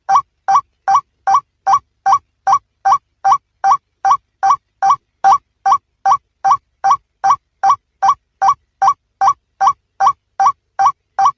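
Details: A male White-breasted waterhen gives a harsh, croaking call note repeated steadily about two and a half times a second, each note identical, with clean silence between.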